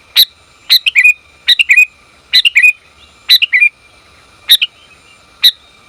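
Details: Sooty-headed bulbul female calling the male, giving quick clusters of two to four crisp, bubbly chirps roughly once a second, some clusters ending in a slurred lower note, with single sharp notes between and a quiet steady hum.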